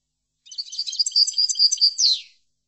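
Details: European goldfinch singing a short chordonier-style phrase for tutoring: about two seconds of fast, tinkling twitter ending in a slurred buzzy note, with a clean background.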